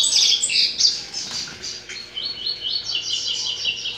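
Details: A Double-collared seedeater in the breeding season sings in courtship, a rapid, high twittering run of bright chirps and short trills, several notes each second.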